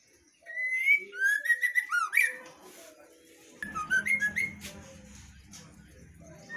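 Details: Female white-rumped shama singing in loud ngeplong style: after brief silence, a fast series of bright upslurred whistles and chattering notes, fading, then a second burst of whistles over a low electrical hum.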